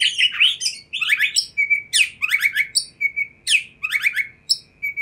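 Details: Kacer, the Oriental magpie-robin, singing to draw a reply from other magpie-robins: rapid sequences of scratchy descending notes and clear whistles, each burst about half a second, repeated almost continuously, with a faint background hum.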